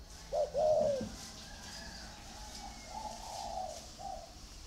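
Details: Caged spotted dove in a bamboo or iron cage giving one brief, loud hollow coo, then softer, more distant cooing under light background hiss.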